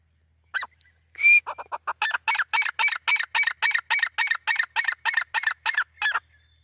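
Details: Grey francolin calling. A single harsh note and a brief sliding whistle lead into a loud series of harsh, ringing notes, about three per second, in a steady run of nearly five seconds.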